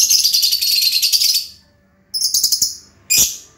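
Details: A lovebird chatters in dense, shrill bursts of fast high notes. A long run of chatter is followed by a shorter one and a final sharp squeal, in a quiet setting.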